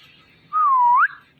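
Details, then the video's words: Indian ringneck parrot, a talking pet, making mating sounds: one clear whistle about half a second long. It holds steady, dips slightly, then sweeps sharply upward at the end. The room is otherwise quiet. "Ringneck Parrot Talking & Making Mating Sounds"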